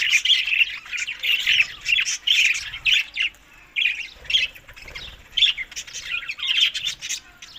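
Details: Budgerigars feeding on summer food between May and June, tagged Larkana, Sindh; bursts of scratchy warbled chirps come in short phrases with brief quiet gaps between them.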